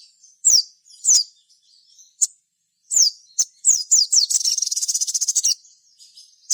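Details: Crimson sunbird song used as a lure for other birds: scattered shrill down-slurred whistles, then a rapid rattling high trill lasting over a second, with a final sharp note.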